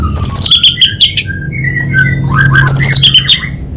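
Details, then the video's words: Orange-headed thrush (anis bata), Bali, in continuous varied song: high swooping whistles, quick chips and descending slurred phrases tumble together with hardly a pause, over a faint low drone. "ANIS BATA Berkicau Gacor Membuat Burung Cepat Tanggap dan Respon"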